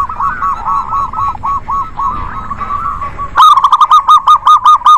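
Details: Local zebra doves calling together in a lively chorus meant to prompt reluctant birds to sing: soft repeated cooing notes run steadily for three seconds, then a louder, crisper series of clipped notes takes over.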